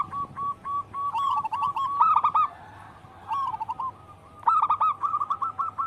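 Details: Chorus of local wild zebra doves: spaced soft coos building into fast stuttering rolled phrases, a quieter lull in the middle, then renewed rippling runs of notes.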